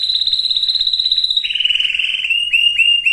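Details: Canary song to condition females and males for breeding, with a high steady rolling trill that drops to a lower buzzy trill, ending in short upward-hooked notes.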